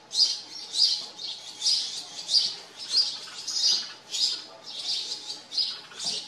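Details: House sparrows at a farm chirping insistently: about ten clear, sharp chirps in a row, closely spaced and even in loudness, with little other sound.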